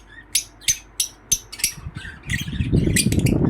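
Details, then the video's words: Lovebird chirping happily: crisp, high, harsh chirps repeated about three times a second, growing busier and overlapping toward the end as a low rumbling noise rises underneath. "Happy Love bird chirping sound"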